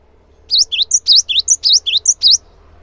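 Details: Cinereous tit singing energetically as a lure for other tits. Crisp, high whistled notes alternate between higher and lower pitches in a rapid repeating pattern for about two seconds. A low background hum is also present.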